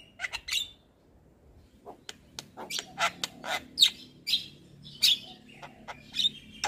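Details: Javan myna with white eyes producing scattered harsh chatters and sharp clicks, broken by brief high whistled notes, with short pauses between phrases.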